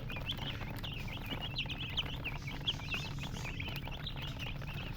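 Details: Chorus of chicks: bright, high, downward-slurred peeps tumbling over each other in quick succession, with a steady low-frequency hum beneath.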